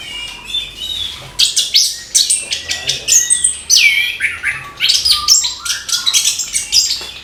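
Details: Energetic morning song from an orange-headed thrush, meant to get young thrushes singing; a dense, rapid stream of high chirps, buzzy notes and twittering phrases, nearly continuous and pulsing.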